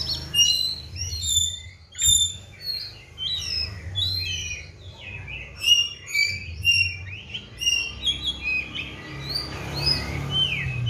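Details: Prolific song from a caged Oriental magpie-robin on a diet of seven crickets and twice-daily baths: dense rapid cascades of high sharp whistles and chirps, tumbling on almost without break, over faint low rumble.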